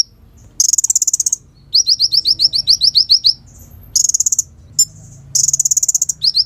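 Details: Kolibri ninja (sunbird) song, a clear natural recording used as a lure and tutor for songbirds: bursts of very high, rapid buzzy chattering trills alternating with fast repeated sharp notes, separated by brief pauses.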